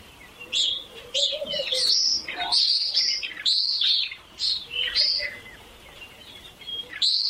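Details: Common swifts giving shrill, piercing screams, several overlapping rising and falling screeches in quick bursts, some drawn out, with quieter gaps between flurries and a faint low hum in the background.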